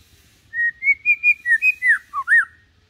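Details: Adult white-rumped shama, kept deliberately calm, singing a training song for young birds: a fast run of about nine clear whistled notes climbing slightly, then a dipping slur and a loud rising-falling whistle, no other sounds.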